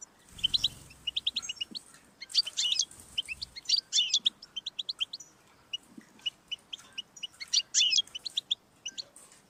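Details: Singing European goldfinch, offered to stimulate a pet goldfinch: dense bursts of buzzy twitters alternating with sparser clipped chips, with a faint low thump near the start.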